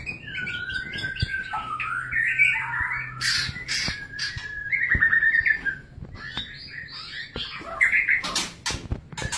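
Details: Mating white-rumped shama, singing fluted whistled phrases mixed with harsh noisy bursts and a few sharp clicks.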